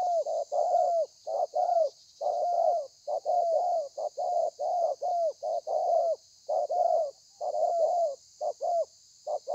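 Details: Caged spotted dove delivering a long thổ pha cooing sequence, 30/11/2020: dense, fast series of soft hooting coos, many ending in a downward slide, nearly continuous over ten seconds, steady high hiss in the background.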